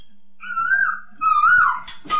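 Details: Masked laughingthrush (poksay hongkong) song, played to coax silent or stressed pet birds into singing: two loud, slurred whistles with gentle wavering pitch, separated by a short pause, ending in a brief harsh rasp.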